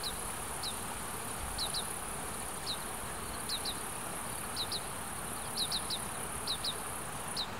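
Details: Fledgling Oriental greenfinches in Hiratsuka, Kanagawa, Japan, follow their parents begging for food. Short, high, falling notes come singly and in quick pairs at irregular gaps, set against steady wind hiss from an on-camera microphone.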